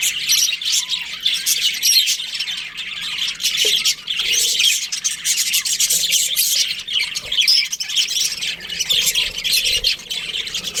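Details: Budgerigar colony in breeding season, many birds chirping at once: a dense, continuous wall of high, scratchy twitters and squawks with no pauses, and a few faint lower notes underneath.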